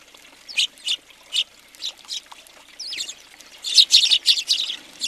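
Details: House sparrows crowding a feeder in Recke, Germany, January 2020: evenly spaced single chirps give way to a dense, chattering burst of rapid calls.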